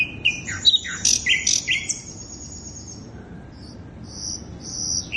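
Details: Sikatan londo flycatcher song played to draw in birds, a tumbling jumble of sharp high chirps and rising and falling whistles, followed by thin, very high drawn-out notes after a short pause.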